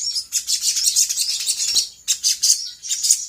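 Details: Lure song of a sooty-headed bulbul, meant to provoke answers from other birds: shrill, tightly packed chattering notes in bursts of about a second, separated by short gaps.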